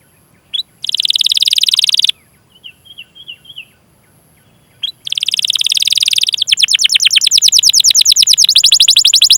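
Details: Canary training song with long rolls: a buzzy sustained trill, a pause with soft twittering, then a second long roll turning into fast repeated chirps that continue steadily to the end.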